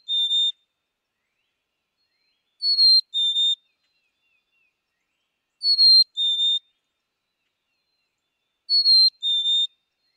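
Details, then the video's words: Black-capped chickadee repeating its pure two-note whistle roughly every three seconds, four phrases in all, the first cut short at the start; the higher opening note steps down to a steady second note, with nothing else heard. "Black capped Chickadee - Song & Call"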